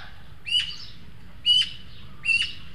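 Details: Three juvenile Eurasian magpies visit a webcam feeder in El Retiro, Madrid, the younger two begging food from the older one. Three rasping, grating squawks come roughly one second apart, each loud and harsh with a bright ringing edge.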